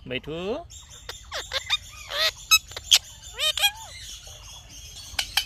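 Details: Talking Indian ringneck parrot giving a burst of buzzy harmonic syllables, then a string of scratchy, squeaky word-like chirps and sharp clicks of varying pitch, spaced irregularly.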